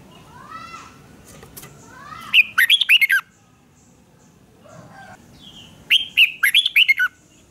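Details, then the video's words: Red-whiskered bulbul duel singing for voice training: two punchy bursts of rapid, looping whistled notes about three and a half seconds apart, preceded by softer rising whistles and faint chirps from other birds. "Kích chào mào hót đấu"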